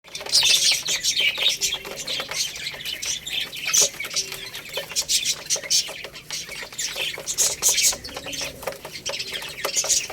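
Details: Young Lohmann Brown chicks, a growing little rooster and a baby hen, eating rice; dense high-pitched chirps and peeps overlap almost without pause, mixed with sharp clicking, likely pecking at grains.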